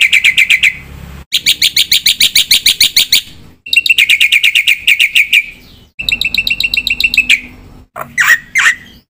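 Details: Black-winged myna singing with full mimicry inserts: several rapid chattering phrases of bright, ringing notes separated by short breaks, closing with a couple of rough, wavering squeals.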